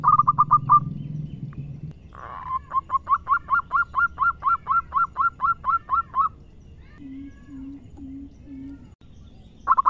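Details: {'caption': 'Zebra dove, a local Indonesian bird, singing loudly: a quick burst of rounded coos, then a long steady series of about fifteen repeated cooing notes, then four low hoarse notes and another short burst at the end. Low hum in the background.'}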